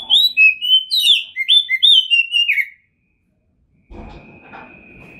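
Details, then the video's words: Prize-winning Oriental magpie-robin with a full repertoire delivers a run of clear, sliding whistled notes for under three seconds, then falls silent. A dull background rumble and faint noise follow. "OCEHAN KACER TOP, GACOR DORRR"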